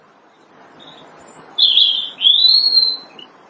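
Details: Robin singing loudly on branches in early spring in March: high, thin warbled phrases, a faint early sweep followed by two louder rising-and-falling bursts, with quiet background.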